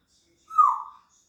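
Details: A pet grey parrot, three years old, gives a single brief whistled note that starts bright and slides gently downward, clean against silence.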